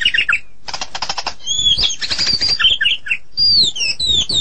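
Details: White-rumped shama from Medan in continuous song: varied whistled phrases and slurred notes with rattling, chattering bursts between them.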